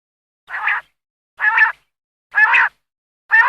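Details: Common quail (batair) from a hunting recording in Khyber Pakhtunkhwa, Pakistan. It gives four short, rough, growling notes, evenly spaced about one second apart, on a silent background.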